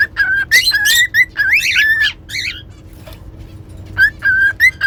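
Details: Cockatiel whistling: short level whistles and buzzy chirps with wavering notes in quick succession, a quieter gap, then more repeated level whistles, over a low hum.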